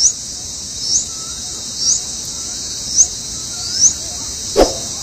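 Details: Hungry bulbul chicks being fed by both parents give thin, high, rising squeaks about once a second over a steady shrill insect drone; soft low whistles and one sharp tap are also heard.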